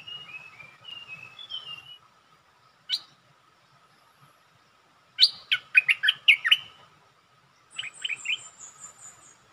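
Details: Bulbul decoy song aimed at a resident territory holder. Soft, high whistled notes open the recording, then a single sharp note, then a tight cluster of loud bubbly chirps, and finally a shorter chattering phrase.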